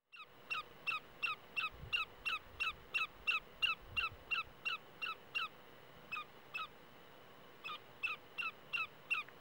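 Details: Lesser Yellowlegs in Sumapaz National Park, Colombia, giving a long run of clear, sharp whistled notes, about three a second, then a pause and a shorter burst; faint low rumble behind.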